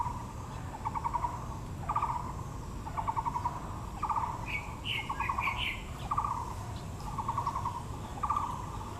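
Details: Taiwan blue magpie among azaleas in Yangmingshan National Park, Taipei, giving harsh, rattling chatter notes about once a second, with a few higher, clearer notes mid-way and a low outdoor rumble throughout.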